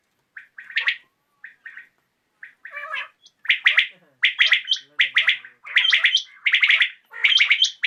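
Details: [['In the evening a common quail starts with a few short, soft notes, then builds into loud, repeated three-part clicking phrases with high thin squeaks mixed in.']]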